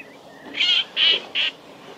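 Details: Common redshank at Nosterfield on 18 March 2018, giving three loud, clear, high notes in quick succession, each about a fifth of a second long, with faint whistles of other birds behind.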